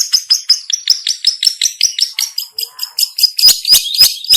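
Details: Long-tailed shrike (pentet) call used as a trapping lure: a fast, slightly uneven string of high, sharp chirps that grows louder and more clipped toward the end.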